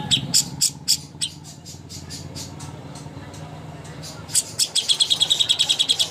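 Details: Greater green leafbird master song for bird contests: bursts of sharp high chirps at an uneven pace, then a fast run of bright repeated notes near the end, over a low steady hum.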